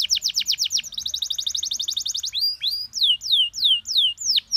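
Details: Canary singing a master phrase set meant to be easy to imitate; a rapid high trill that speeds into a denser rattle, then loud slow down-slurred whistles.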